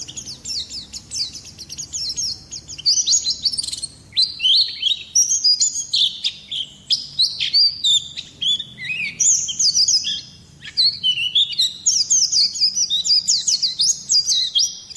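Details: Oriental white-eye song for luring birds and tutoring other songbirds: a long, busy warble of high slurred notes and rapid twitters, rising and falling in fast bursts with short gaps.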